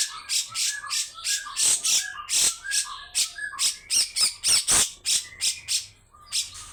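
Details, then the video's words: Rasping besetan bursts from a grey-cheeked bulbul, rapid and uneven, with short whistled tones sounding between the harsh notes. "Cucak Jenggot Mewah \\ 🔴besetan kasar kasar panjang bikin burung bangun"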